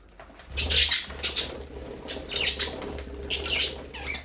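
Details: Budgies singing and playing in an aviary: clusters of bright, high chirps arriving in bursts every second or so, over a soft scratchy warble and low hum.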